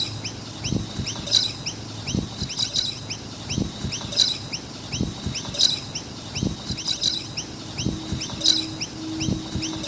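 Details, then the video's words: Around a skate park, noisy miners chirp in clustered bursts of rising high notes, roughly every one to two seconds, over repeated low knocks and rumbles. "Noisy Miner Birds with Chirping Sounds"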